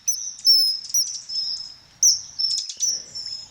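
Common kingfisher giving shrill, thin, high whistles, sharp piercing notes repeated in short bursts, with no other notable sounds.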